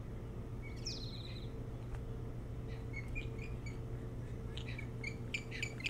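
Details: Osprey calling at a nest on Hog Island, near Bremen, Maine, captured by a nest cam early on 3 July 2018: a descending whistled note, then a run of quick high chirps, against a constant low hum.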